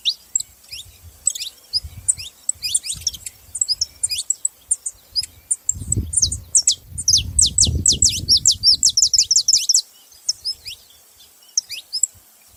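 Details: Saffron finches chatter continuously with high, quick, slurred chirps that build to an intense overlapping burst. Low rumbling noise is heard in the middle section.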